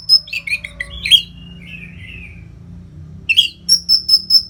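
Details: Orange-headed thrush, anis merah, delivering gacor training song for competition birds. Warbled, wavering phrases give way to a long drawn slur, then a rapid series of five evenly spaced high piping notes.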